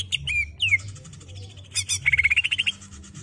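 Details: A greater green leafbird kept in captivity gives 'ngerol' rolling song meant for training untrained birds: quick falling whistles, a harsh burst, then a fast rising trill of clipped notes, low hum beneath.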